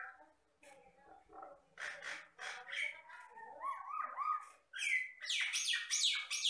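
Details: Energetic song of a common myna (jalak Batam), a bird of Riau Islands rice fields and plantations that can mimic any sound: low chatter building into buzzy phrases, a series of upslurred whistles, then loud harsh scratchy notes.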